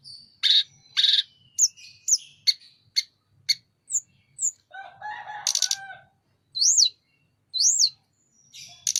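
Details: Sunda robin singing vigorously with wings opened: loud buzzy bursts, short sharp notes, a lower harsh chattering passage, then arched high whistles repeated twice.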